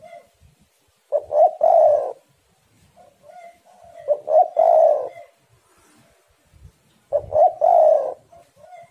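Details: Spotted dove song used to lure other tekukur into singing. Three phrases about three seconds apart, each with choppy introductory notes swelling into a long, coarse coo, with quiet soft coos in the gaps.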